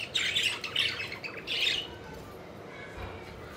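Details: Pet budgerigars playing and flying about, giving three short bursts of scratchy, warbled chirps in the first two seconds, then a quieter pause with faint low background noise.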